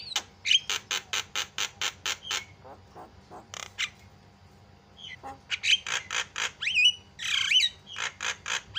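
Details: Javan myna singing energetically, meant to set other mynas chattering: runs of rapid raspy chack notes, a pause with softer clicks, then more harsh notes mixed with twisting whistled phrases.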